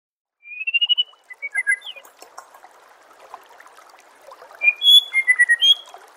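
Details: White-rumped shama masteran song used to train birds for contests: a rising run of rapid whistled notes, then chopped slurred phrases, a quiet gap, and a final burst of clear sweeping whistles over a steady watery background.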